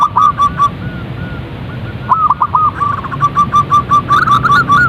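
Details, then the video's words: Zebra dove (perkutut) calls played to encourage singing: a few soft drawn notes, a pause, then a hurried series of short coos, many with downward hooks, and rumbling background noise. "Panggilan suara perkutut agar cepat bunyi & gacor | zebra dove calls bird"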